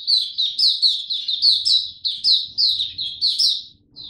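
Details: White-eye (Mata Puteh), young male with developing Dagger song, 9 February 2022: crisp, high chips, each dropping in pitch, repeated about twice a second with a short pause near the end.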